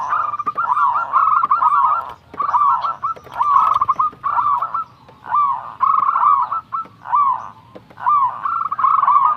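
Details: A young local zebra dove sings actively, giving repeated trilled, warbling coo phrases, each about half a second to a second long, in a dense rhythmic series. Slurred notes link the phrases.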